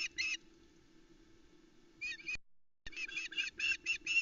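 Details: Osprey female calling at Loch Arkaig, July 2020, as the male lands with a trout: after a short call and a stretch of rustling background noise, a rapid, insistent run of high, harsh cheeps, about four per second.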